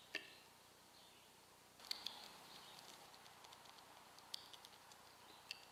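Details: Rose-breasted Grosbeak at a feeder that a pair visits daily, female at the clip's end, giving five or six sharp, squeaky 'eek' notes spaced irregularly over several seconds, over steady background hiss.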